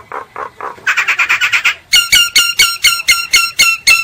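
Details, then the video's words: Common myna song made of soft low notes, then a quick buzzy trill, then about nine loud, harsh, nasal notes repeated roughly every quarter second. "Tiếng chim sáo, sáo nghệ hót chuẩn"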